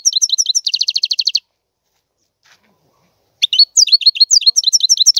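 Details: Lively European goldfinch song: a rapid twittering run leads into a fast even trill, a pause of about two seconds, then a stream of jangling, slurred high notes.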